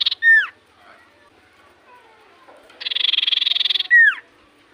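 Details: Loud common iora, a song said to prompt any iora to reply: a falling whistle, a quiet gap with faint background calls, then a long pulsed buzzy trill capped by another sharp descending whistle.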